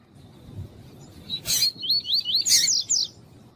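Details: Caged female double-collared seedeater calling to excite a male coleiro tuí-tuí; a harsh noisy burst precedes a quick series of high, sliding, warbled notes, then another loud rasping burst and a final trill.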